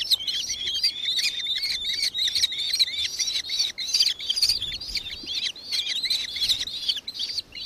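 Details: Falco cenchroides, the nankeen kestrel, in Victoria, Australia, 4 December 2024: an unbroken, rapid chatter of high, harsh notes, strong and close, over a quiet background.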